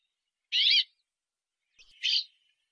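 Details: Brambling song: two short, harsh, buzzy notes about a second and a half apart against a silent background.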